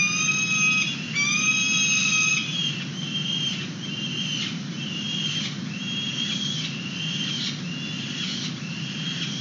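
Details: Peregrine falcons at a San Francisco nest box, filmed by webcam on 29 April 2021 while feeding young outside the box: long, steady, harmonic wailing calls at first, then shorter repeated notes over a constant low hum.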